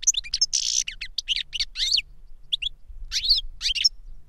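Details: European goldfinch, master singer that taught a novice goldfinch its 'reclamo' song, caged: busy jumbled twittering with a harsh buzzy note, scattered chirps, then slurred descending whistles and crisp repeated notes.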